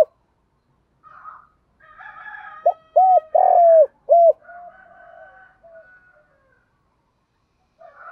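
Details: Spotted dove, male and female, calling to stimulate a decoy bird in the thúc and gáy gọi styles: a run of four hollow, low, downward-curving coos near the middle, preceded and followed by soft, buzzy, muffled background sounds.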